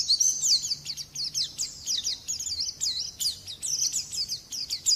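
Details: White-eye (pleci), called a champion and singing continuously: thin, very high looping whistles and quick chirps in fast phrases, somewhat quieter, over a light background hiss.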